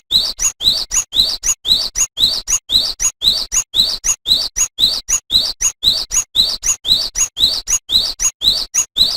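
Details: Energetic cinereous tit song for tutoring cage songbirds: crisp paired high whistles, each a short upward-sweeping note followed by a thin piercing note, repeated steadily and evenly throughout on a clean background.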